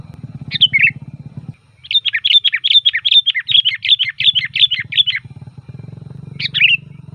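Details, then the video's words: Sooty-headed bulbul singing loudly with full variation, used as a lure and tutor song: a bubbly phrase, then a rapid run of chattering whistled notes for about three seconds, then another phrase, over low humming noise. "Suara Burung Kutilang Gacor FULL VARIASI"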